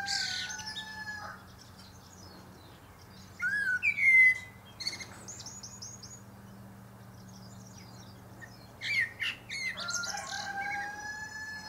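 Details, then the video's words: Male Common Blackbird (Turdus merula) singing atop a pear tree: rich fluted phrases gliding around mid pitch, each ending in a high squeaky twitter, separated by pauses, over a steady low drone. "Blackbird Singing"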